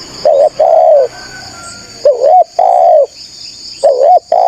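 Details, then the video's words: Spotted dove lure call meant to provoke wild rival doves into answering; loud two-part coos, a quavering note followed by a drawn-out smooth one, repeating roughly every two seconds, with shrill insects buzzing throughout. "TEKUKUR GACOR SUARA MERDU_5 DETIK NYAUT PANCINGAN TEKUKUR NGALAS CARI LAWAN"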